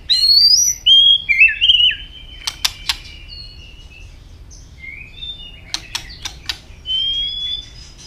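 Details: White-rumped shama fighting song, the bird hopping and flicking its tail in early breeding condition. High clear whistled notes start the recording, followed by sharp snapping clicks and a few more thin, sustained whistles.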